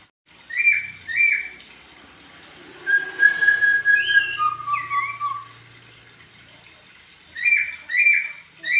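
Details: Laughingthrush (poksay) on a training recording for songbirds, with a varied run of whistles: paired slurred phrases, then a long sustained whistle, rising and falling notes and high sharp chirps, ending with more paired phrases.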